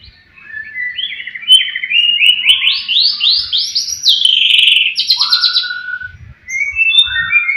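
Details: White-rumped shama (murai batu) singing to provoke rival birds: rising chain of rapid trilled notes climbing in pitch, a loud buzzy phrase, then clear whistled notes dropping lower, with faint low thumps.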